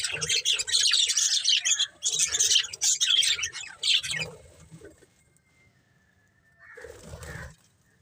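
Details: Breeding pair of pet budgerigars chattering in dense, scratchy, high chirps and warbles for about four seconds. The chatter then fades to near silence before a brief final burst of chirps.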